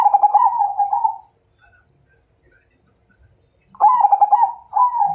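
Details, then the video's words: A Majapahit zebra dove sings a fighting challenge: a rapid, vibrating coo phrase, then a pause of over two seconds before a second phrase of bubbling notes that ends in a smooth, sustained coo. "Suara Perkutut MAJAPAHIT Ngajak Tarung"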